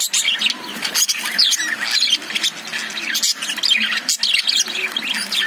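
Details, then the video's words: Caged lovebirds twittering in bursts of bright, sharp chirps and squeaky notes, many voices overlapping, the chatter swelling and dipping slightly in loudness. "Love birds sound|| Cute love birds inside the Cage"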